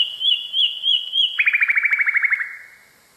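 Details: Nightingale tutor phrase meant for teaching canaries: a wavering high whistle repeated several times, then a fast, rolling trill of about a dozen notes that fades out.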